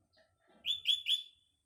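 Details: Morning song of a sooty-headed bulbul in a green natural setting: three strong, ringing chirps in fast succession at a steady pitch, after a few soft, faint sounds beforehand.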